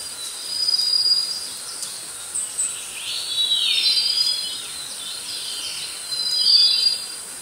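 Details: Snowy-browed flycatcher (Ficedula hyperythra) calling: very high, thin, wheezy notes and short sweeping phrases, spaced a few seconds apart, over a steady high insect hiss.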